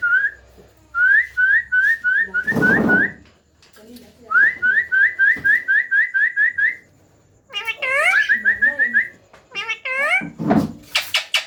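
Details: Green ringneck parakeet chicks at feeding time, fed by their keepers: fast strings of short upslurred whistles repeated about five per second, broken by a soft human voice and scratchy harsh notes near the end.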